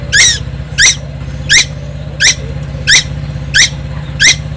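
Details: Young tuwu bird of Timor Island, singing constantly and noisily: rasping, stacked notes spaced roughly 0.7 seconds apart, seven in quick succession, with a continuous low droning hum beneath.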